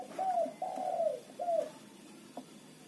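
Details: Lively local zebra dove used to lure wild birds into traps: three mellow downward-sliding coos in quick succession, then quiet hiss.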